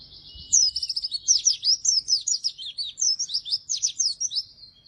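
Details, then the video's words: Oriental white-eye in vigorous song, used as lure and master for white-eyes reluctant to sing: a sustained, lively torrent of high twittering, sweeping notes with quick stutters and trills. "burung pleci gacor!!! efektif untuk pancingan dan masteran pleci yang malas bunyi"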